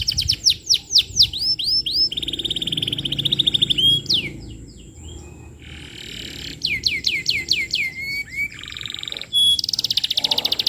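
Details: Canary singing as a lure for training young canaries: bursts of sweeping whistles and buzzy rolls, a quieter pause near the middle, then more rapid trills and a steady buzzing tone.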